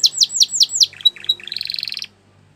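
A Gloster canary sings five quick descending slurred whistles, then a few bright notes and a fast buzzy rattling trill lasting about half a second.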